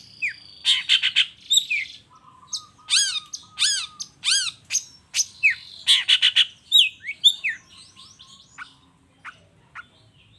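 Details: Lively 'toet toet' song of a long-tailed shrike, played to make reluctant shrikes sing back: harsh rasping bursts mixed with clear arched whistles, a low steady tone between them, then fading scattered chips.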